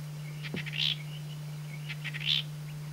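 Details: Female Cape batis giving two matching phrases about a second and a half apart, each a few sharp chips ending in a brighter buzzy note, over a steady low hum.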